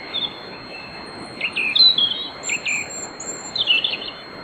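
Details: Pre-dawn nocturnal song of a European robin in a grove near Bóveda, Lugo, Spain: high, thin whistled phrases with sharp downward slides and sparkling trills, a steady faint tone behind.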